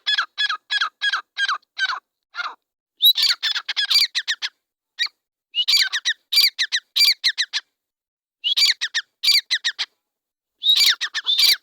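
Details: Grey francolin (teetar, possibly a pair) in a field giving loud, harsh, metallic notes: first a quick even run of about a dozen, then ringing three- and four-note phrases repeated every second or so.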